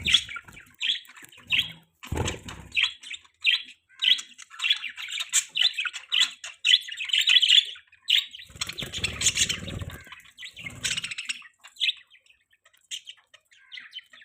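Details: Several pet budgies chatter continuously, a busy run of rapid warbled chirps and squawks, with bursts of wing flapping around the middle.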